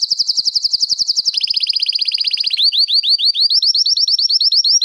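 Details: Canary singing long rolls for tutoring: continuous rapid high trills that change tempo, first a fast even rattle, then a quicker buzzing section, then a series of slurred upward-sweeping notes repeated several times per second.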